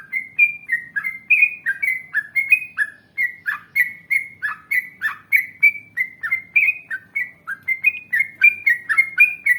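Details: Yellow-vented bulbul song of the long 'ngalas' and long 'ropel' type, played to coax bulbuls into replying: a fast, chattering series of short warbled notes, roughly three per second, with a faint low murmur beneath.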